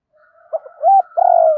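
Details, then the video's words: Spotted dove used as a lure for wild doves, giving a short note, a rising hoot, and then a long, slightly falling, vibrating coo. "Chim Cu Mồi Thúc Và Gáy Gọi Dùng Kích Bổi Hiệu Quả Mỗi Ngày"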